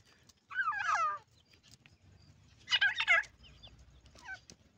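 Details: Francolin calling, chicks present. Two loud, grating, cackling bursts about two seconds apart, each under a second long with rapid up-and-down warbling, then a faint shorter note near the end over low background hum.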